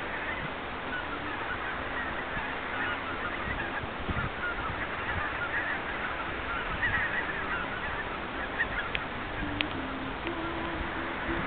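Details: Large flock of greater white-fronted geese with some barnacle geese gathering in a meadow at midday to feed and drink, wintering in the Düffel near Kranenburg, Germany, February; a continuous murmur of honking and chatter.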